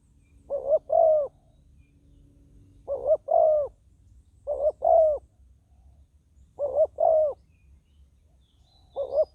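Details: Ground decoy spotted dove luring wild doves, repeating its mellow coo phrase five times and starting a sixth. Each phrase is a short note then a drawn-out falling croo, about every two seconds.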